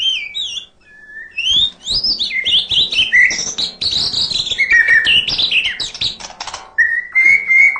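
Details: Murai batu, the white-rumped shama, singing continuously with fill-in phrases: high slurred whistles and fast chattering notes crowd together, pausing briefly before a flat whistled tone closes the passage.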